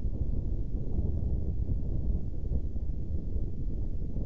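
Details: Low, steady wind buffeting the microphone outdoors, with no animal sound heard.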